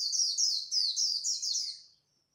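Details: Japanese white-eye competing at dawn with khuyên líu song to stir newly caught birds into singing: a clean, unbroken stream of quick, very high, descending trilled phrases for about two seconds, fading into silence.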